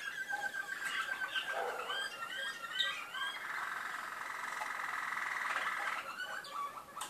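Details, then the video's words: Malinois canaries from Skopje singing indoors: low, watery rolling trills and warbled phrases around the middle range, with a long sustained roll in the second half, faint against a soft background hiss. "malino kanarinci"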